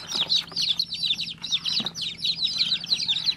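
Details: Baby chicken chick calling nonstop with sharp, high, downward-slurred peeps in fast overlapping runs, some faint knocks in the background.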